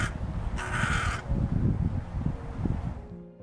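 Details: Hooded crow in the UK giving one of its most common calls, a single harsh, rasping caw about half a second long, over low background music; its calls are said to be indistinguishable from the carrion crow's.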